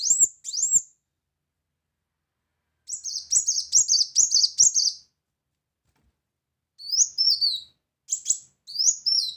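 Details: Brown-throated sunbird giving its loud 'tembakan' song: short groups of piercing, quickly repeated down-slurred chirps separated by silent gaps of about two seconds.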